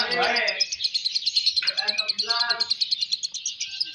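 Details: Young Balibu fighter lovebird at a singing contest, delivering a fast, rapidly repeated series of high, sharp chirps, about three per second, in a continuous ringing stream while people talk loudly underneath.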